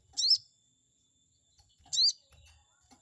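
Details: Chestnut-backed scimitar babbler, a lure meant to anger a rival bird: two high, bright, arched chirps about a second and a half apart, with faint low clatter between.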